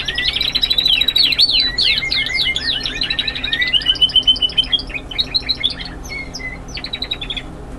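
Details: Young Spanish Timbrado canary in classic continuous song: rapid rolling trills sweep up and down, then slow into evenly spaced metallic pips and brief clear notes, with steady low background hum.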